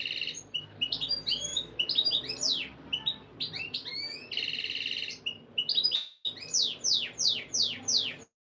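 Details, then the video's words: Canary song for breeding conditioning of females: varied tumbling phrases of quick downslurred notes, short buzzy rolls and chips, with a brief silent break near the end. "Canary Breeding Conditioning Audio — Boost Your Female’s Mating Instincts"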